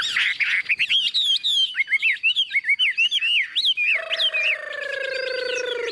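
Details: Tame, hand-tamed caged Chinese hwamei with yellow legs and beak, newly arrived with a new owner, singing a fast run of loud varied whistled phrases that swoop up and down, ending on a long, steady lower whistle.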